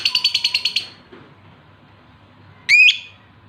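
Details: Male lovebird in breeding condition calling a female: a quick run of about eight rapid high chirps, silence, then a single loud harsh rising squawk.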